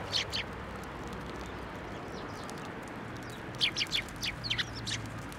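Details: Sparrows gathering at a shrine to be fed, 1 January 2024: thin high chirps, a couple at the start and then a quick cluster of sharp calls near the end, over steady low background rumble.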